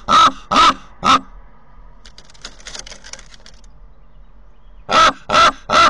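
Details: Raven visiting its nest near Corbera de Llobregat, Barcelona, caught on a nest camera: three rough, grating calls, a pause with faint rustling, then three more.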